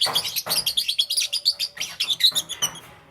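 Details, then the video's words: Green Opaline and Parblue Euwing Green Opaline lovebirds chirping in the morning, an unbroken rapid chatter of high, squeaky, twittering notes about five to a second. "Lovebird Chirping Sounds"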